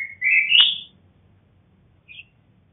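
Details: A red-whiskered bulbul, a crossbred male (black-crested bulbul) with a female, gives a loud, rich whistled phrase that rises and warbles, then one short clear note about a second later. Little else is heard.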